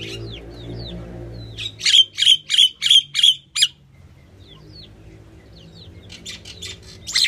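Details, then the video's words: Female common myna, also called Indian myna, calling: a quick run of six loud, harsh, evenly spaced notes, then quieter scattered chirps and a final harsh burst. "The common myna (Female) | Indian myna calling"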